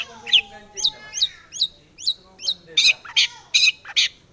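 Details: Long-tailed shrike singing as a prompt for other shrikes: a fast series of short rising whistled notes, about two per second, turning into louder, harsher bursts at the end.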